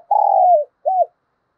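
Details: Decoy spotted dove meant to provoke wild doves, thổ sấm voice: a drawn-out coo that sags slightly at the end, then one short arched coo after a gap. Otherwise silent.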